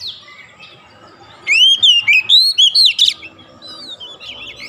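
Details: Oriental magpie-robin (kacer) singing ngoceh gacor, used as therapy to make lazy birds sing nonstop: a loud burst of about seven clear, whistled, rising and falling notes in quick succession, then faint chirps over a quiet background.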